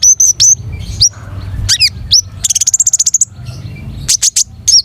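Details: Long-tailed shrike in full, varied gacor song: sharp high whistles and upslurred notes, a rapid ticking trill near the middle, then loud clipped chirps; low background rumble.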